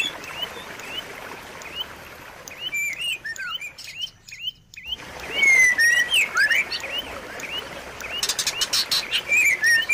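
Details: Rapid chirping song of a white-rumped shama: repeated short upswept whistles, a drop into near silence midway, then louder slurred whistles and a clattering broadband burst near the end.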